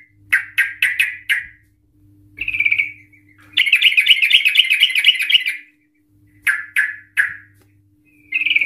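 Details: An excited Sooty-headed Bulbul whose long rapid trill serves to provoke other Sooty-headed Bulbuls: four quick sharp notes, a short buzzy phrase, a two-second rolling trill, then three more sharp calls, over a steady low hum.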